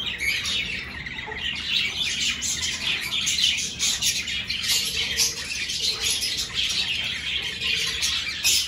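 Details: Budgerigars in an aviary at the start of breeding season, with pairs choosing clay pots for nesting. Continuous high chirping, warbling and occasional squawks from many birds make a dense chorus.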